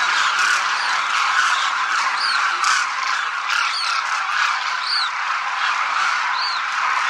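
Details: Large flock of demoiselle cranes crooning while flying in formation over a Rajasthan village sky. Many overlapping calls form a constant dense chorus, with short high chirps from other birds rising above it every second or so.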